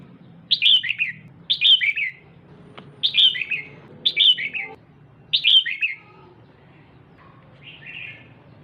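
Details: Female red-whiskered bulbul calling to excite a male: five quick bursts of bright, tumbling notes about one to one and a half seconds apart, then a pause and one softer, fainter burst at the end.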